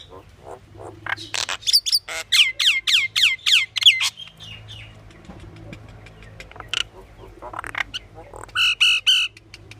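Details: Pied myna giving a varied series of calls: a run of about eight loud, rapid downslurred whistled notes, then harsh chattering bursts and a final group of buzzy squawks, with a faint low hum behind.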